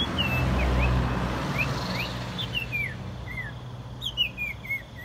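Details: Common iora song played as a bird lure: rough low rumbling noise at first, then a series of clear slurred whistles, some rising, some falling, growing more frequent toward the end.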